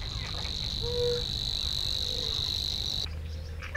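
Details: Savi's warbler singing from a young willow at Crna Mlaka fishponds and wetland, Croatia: a steady, dry, frog- or insect-like reeling buzz for about three seconds, then stops; a brief low whistle and soft background rumble.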